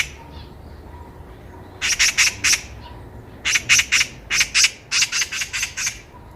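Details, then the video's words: Eurasian magpie heard on a walk, chattering loudly in a short burst of four grating notes followed by a longer, broken sequence of repeated rasps. "까치 새소리"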